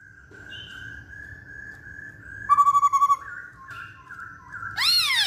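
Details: Masked laughingthrush singing: a sustained level whistle, then a pulsed, stuttering note of about eight quick beats, then stepped whistles, ending in a loud, arching, harsh burst.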